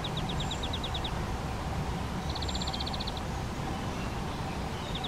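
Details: Nesting spotted flycatchers raising two young in a half-open box on a garden shed, adults feeding nestlings flying insects; clipped high notes in fast runs of about ten, repeated after pauses, with steady low background noise.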